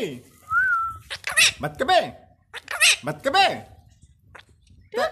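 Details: A rose-ringed parakeet, a pet parrot, gives a brief clear whistle, then several quick, nasal, speech-like phrases in rising-and-falling syllables, mimicking "me too" repeatedly, indoors.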